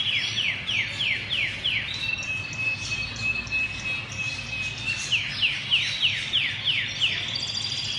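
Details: Canary song opening with about six rapid downward-swooping whistles, then a long thin steady trill, then another run of repeated descending swoops, all high-pitched over a faint low hum.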